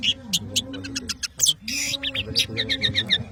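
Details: Long-tailed shrike from Madura in lively song, pouring out fast high chirps and clicks in dense runs, over a lower wavering tone in the background.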